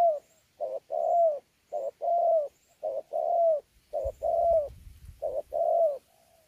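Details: Spotted dove, wild-caught, Sa Thầy, Kon Tum, 26 November 2019, cooing in contest style with bowing coos: five or six rapid pairs of a brief hoot and a longer descending note, with a low rumbling noise midway.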